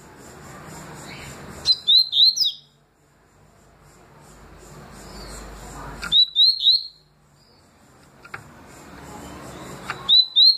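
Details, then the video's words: Tui tui and deputado styles sung by a Double-collared seedeater: clusters of three or four quick rising whistles, each group separated by several seconds of quiet background noise. "Papa capim tui tui canto e deputado canto"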